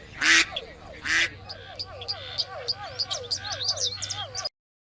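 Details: Duck giving two loud, raspy quacks, followed by a softer, fast series of short nasal calls mixed with thin high chirps, ending abruptly in silence.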